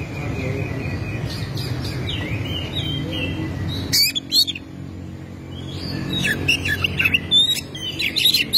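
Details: Oriental magpie-robin (kacer) in lively song, used as a lure to get other kacer singing: sharp high chirps, whistles and clicks in irregular bursts, partly over a low rumbling background, louder near the end.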